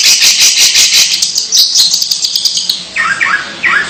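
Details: Long-tailed shrike making strange sounds: a loud, scratchy, hissing chatter pulsing rapidly at high pitch for nearly three seconds, then a pause and a few short, sharp downslurred notes.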